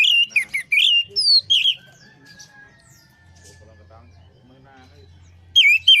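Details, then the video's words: Orange-headed thrush song played as a lure to coax a stressed bird into singing again: rapid, loud slurred whistles at the start, a long quieter stretch with a thin steady tone, then renewed whistled notes at the end. "pancingan Anis merah setres dan macet bunyi"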